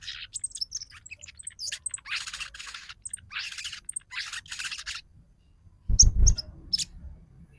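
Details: ['Crimson Sunbird lure meant to provoke singing and excitement: rapid high twittering with scratchy buzzy bursts over several seconds, a pause, then a few sharp chirps and a low thump.']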